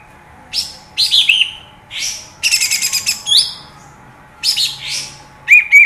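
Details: A bulbul (kapas tembak), used as a lure call to provoke a young bird's fighting spirit and get it singing, gives short, bright chattering bursts of buzzy and whistled notes, about one phrase per second, with a faint steady hum behind.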